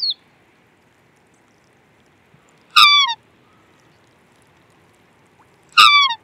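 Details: Black swan calling twice about three seconds apart. Each call is loud, trumpet-like and slurs downward, with a quiet background between them.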